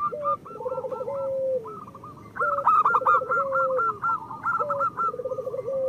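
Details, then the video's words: Local Indonesian zebra doves (perkutut) in lively song, used to prompt lazy birds to sing: overlapping staccato cooing phrases of quick repeated notes, with a lower rolling coo and a higher bubbling series running together, pausing briefly and then resuming. "Perkutut lokal gacor Masteran Perkutut Suara Kristal"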